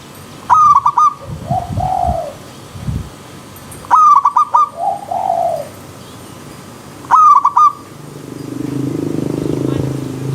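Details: Zebra dove from the wild, paired with river stream sound: three bright rapid cooing phrases a few seconds apart, with lower softer coos after the first two and a low rushing wash near the end.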